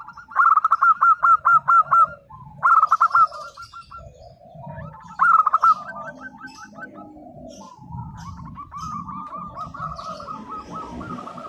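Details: Actively singing local zebra dove, its song meant to prompt mute birds to reply: three loud bursts of fast, clipped cooing notes, followed by a dense chorus of quieter rolling coos from many doves with low rumbling noise.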